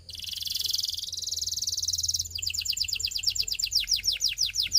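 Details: A Belgian canary (Serinus canaria domestica) sings a fast, high trill for about two seconds, then switches to a rapid series of quicker descending chirped notes.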